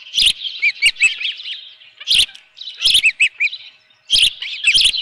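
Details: High, piping chirps from an Osprey at the nest with a live fish, morning of 24 June 2018: clusters of arched whistled notes separated by short silences, each burst punctuated by a sharp knock.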